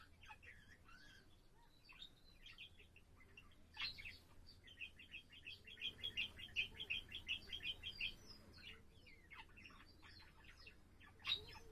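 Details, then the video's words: Captive budgerigar warbling on 7 April: soft scattered chirps build into a loud, fast, rhythmic string of paired chattering notes lasting a few seconds, then looser twittering and a final sharp chirp. "セキセイインコ そらちゃんのさえずり"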